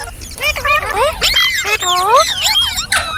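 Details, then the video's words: Ringneck green parrot giving a quick series of clear rising whistled chirps and screechy notes in close succession, bright and loud. "Green Parrot Chirping Sounds /Voice | Mitthu Ki Awaaz"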